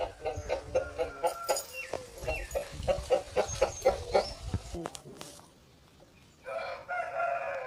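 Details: At a chicken farm, roosters and hens clamour: rhythmic, evenly spaced clucks for about five seconds, a short quiet gap, then a longer, harsh drawn-out call.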